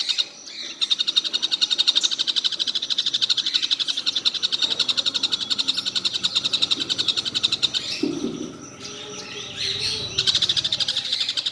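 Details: A collared kingfisher calls nonstop through the day, giving a long stream of quick, harsh, high chattering notes. It breaks off briefly near eight seconds, where a short low thud is heard, then resumes.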